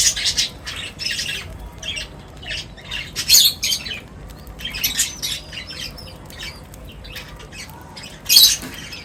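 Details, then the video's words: Several birds gathered at feeding time, giving scattered high, sharp chirps and squawks in irregular bursts, with two louder squeaky peaks and faint background rustling. "Birds Feeding Time Sounds | Birds Chirping sounds"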